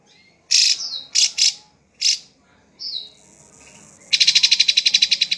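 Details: Drongo gives harsh, grating chirps and a buzzy downward slur, then breaks into a quick, regular, pulsing rattle.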